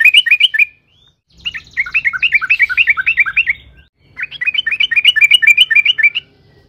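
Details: Yellow-vented bulbul in energetic long song used to get other bulbuls singing: three bursts of rapid, bubbly rising-and-falling notes with brief pauses and a soft low rumble.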